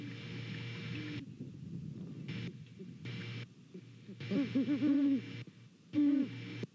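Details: Two Great Horned Owls calling to each other at a Savannah nest on a November morning; quiet hum for four seconds, then a run of low hoots and a final louder hoot near six seconds.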